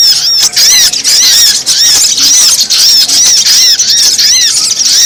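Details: High, arched chirps of brown-throated sunbird, used as a lure for wild birds, pour out almost without pause in a busy, continuous chatter.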